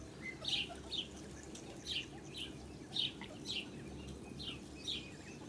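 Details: Blue Muscovy duck with her young on a farm, recorded 8 July 2017; short high chirping peeps in pairs, roughly every half second to one second, over constant low rumbling background noise.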